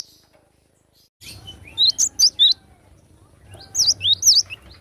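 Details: Wild cinereous tit singing in nature: clear high, bouncing two-part notes repeated in two short phrases of three to four notes each, separated by a brief pause, with soft low background rumble.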